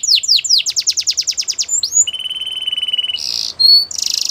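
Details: Canary training song for young canaries: a bright series of rapid falling chirps speeds into a long, low buzzy roll, then breaks into harsh high bursts and a short whistled note.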